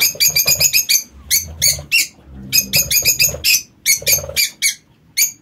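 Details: Lovebirds kept in an aviary give rapid, harsh, shrill shrieks in bursts of several calls, with short pauses between bursts and soft low rustling underneath.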